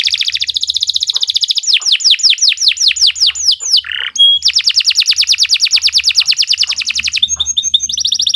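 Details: Canary singing long and nonstop, a shrill song meant as a master for training other birds: a run of descending whistled sweeps, a short buzzy dip and pure note, then a long fast trill of rapid repeated notes.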